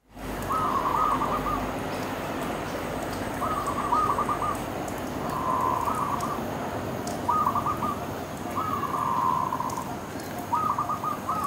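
A dove gives soft, hollow cooing phrases, each about a second long, repeated roughly every two seconds over a steady hiss of background noise.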